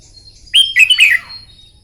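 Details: Red-whiskered bulbul singing in the morning, a bird trained for song contests: one quick, whistled, warbling phrase of bright slurred notes that jump and fall, then a short fading trill over a quiet background.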